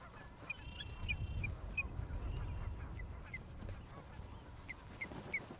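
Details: Osprey at the nest in Charlo, Montana, USA, on April 26, 2022, heard through a live nest camera: short high chirps in uneven bursts over a steady low rumble of wind or background noise.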